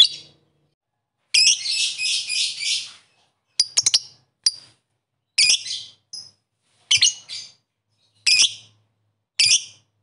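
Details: Lovebird calling rivals: a long burst of harsh rapid chatter, then a series of brief, sharp, shrill chirps at irregular intervals.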